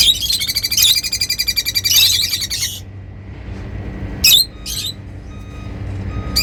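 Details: Lovebirds in a happy mood: a rapid pulsing buzzy trill for almost three seconds, then two sharp squeaky chirps and a final brief note over soft background hum.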